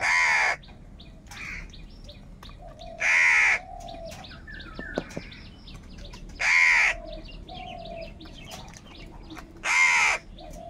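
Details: Very loud crows, said to be fighting for food and calling in group anger: four harsh, drawn-out caws about three seconds apart, with soft whistled calls of other birds between them.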